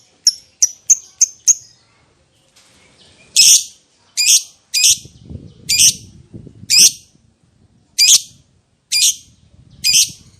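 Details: Caged lovebird lure to make other lovebirds answer: five quick short chirps, then a series of eight louder, harsh shrill calls roughly one second apart, with faint low rustling between them.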